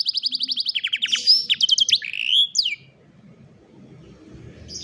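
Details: Mobile-phone recording of canary song for teaching a lazy canary to sing: rapid rolled notes repeated about ten times a second, then down-slurred whistles and a twisting phrase, fading to quiet with a low hum behind.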